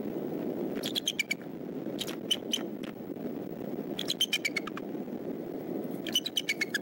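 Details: Bald eagle calls at the Decorah nest as the father drops in at 6:30 a.m. at sunrise, 22 March 2014: bursts of high, thin, piping notes in quick descending series, repeated several times over steady low background rumble.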